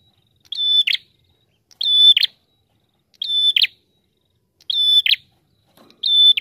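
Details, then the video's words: Persistent prinia lure song with five evenly spaced phrases about 1.2 seconds apart. Each is a clear, penetrating whistle closing with a buzzy rattle, in otherwise quiet surroundings. "Prenjak TAMU Gacor Ngalun Rapat"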